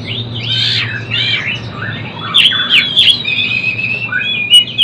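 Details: A young Oriental magpie-robin practising its song, giving soft wavering whistled phrases and a few sharp higher notes, sung quietly and unevenly over a constant low hum.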